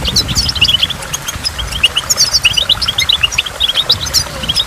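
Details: Goldfinch song near falling water: quick, bright chirps repeated several times a second in a loose, twittering stream, with the waterfall's low hiss throughout.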